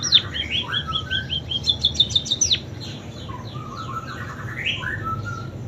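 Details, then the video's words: Munia performing canary imitations in its song: varied phrases of high chips and a short ringing trill, followed by lower warbled notes and rising twitters. "Burung PIPIT Full isian KENARI"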